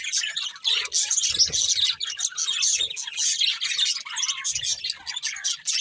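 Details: Chirping budgerigars, many birds twittering at once in a steady high-pitched babble, with a few low knocks and bumps mixed in.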